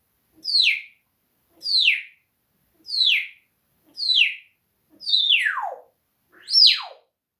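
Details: Parrot said to be swearing at the cat, giving six sharp whistled calls that sweep steeply downward, roughly one every 1.2 seconds; the last two are longer and slide much lower.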